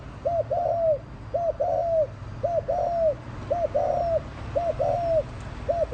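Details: Lure call of a spotted dove, meant to stir up wild doves: mellow low coos, each a brief note followed by a longer drawn-out one, pairs repeating about once a second, with a steady faint background hum.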